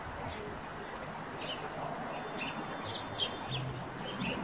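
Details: Eurasian tree sparrows calling near their nest on a roof: short bright chirps scattered through the clip, in loose clusters, over a steady broadband background hiss.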